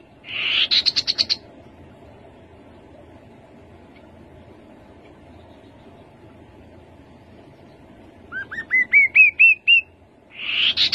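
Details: Rufous-capped babbler song: a short burst of rapid buzzy notes opens, then a quiet gap, then a rising run of about seven upslurred whistled notes, ending with another buzzy burst; the background is otherwise still.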